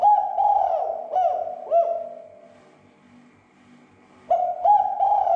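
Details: Spotted dove lure coo intended to provoke other doves: the end of one hooting phrase with descending soft notes, a pause of over a second, then a new phrase beginning with a quick stutter.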